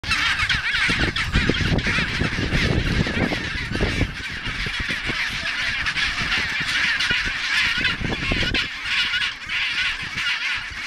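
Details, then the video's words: A noisy chinstrap penguin rookery: many birds give harsh, braying, honking calls, overlapping without pause, with low rumbling wind or surf underneath. "Noisy chinstrap penguin rookery"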